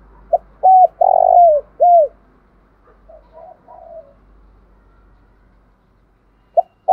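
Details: Spotted dove cooing to provoke rival males: one loud phrase of a short note, a hooked coo, a long falling coo and a final coo, followed by softer distant cooing and a brief note at the end, over a low hum.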